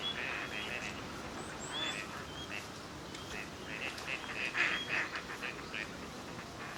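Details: Gadwall pairs forming through courtship display at a park in Chiba, Japan, November: a scatter of thin, rising whistles and short nasal quacks from several ducks, about three per second, over steady outdoor noise.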